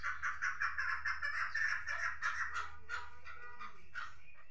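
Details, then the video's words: Chukar partridge giving a rhythmic series of hoarse, clucking chuk notes, several per second, gradually loosening into a more irregular chatter over low background hum. "Кабки Сурак"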